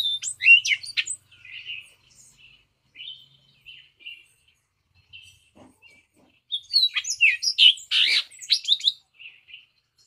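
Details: Hispaniolan oriole from Hispaniola, between the Dominican Republic and Haiti: a burst of sharp chattering notes, then scattered soft whistles, and a second dense jumbled burst of high sweeping notes near the end.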